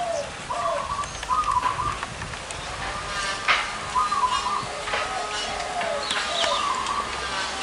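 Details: Zebra doves, big-voiced and small-voiced birds together at a spot favoured by trappers, give repeated trilled coo phrases at a steady mid pitch. Lower warbling answers follow, with a constant hiss and scattered high chirps from other birds.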